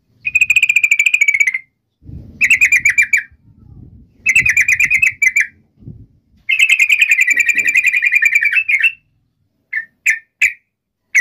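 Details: Yellow-vented bulbul calling a rival: several bursts of fast, buzzy chatter, including one long run of over two seconds, and three short sharp notes at the end. A soft low background murmur is present.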